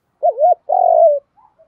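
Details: Spotted dove coo meant to excite training birds into calling, male and female mixed: a wavering two-humped hoot followed by a long, slightly buzzy coo sliding downward, then two faint short notes.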